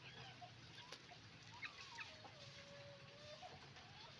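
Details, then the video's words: On a chicken farm, roosters and hens call together; one bird gives a long, drawn-out wavering note amid short squawks and clucks, with a low hum beneath. "Moment of the sound of a chicken farm, roosters and hens making noise"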